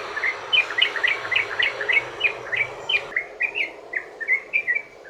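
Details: Yellow-vented bulbul in a long rolling 'ropel' song, used to lure other bulbuls into singing: quick bright chirped notes repeated about three to four per second, with a short pause at three seconds, then slurred rising phrases.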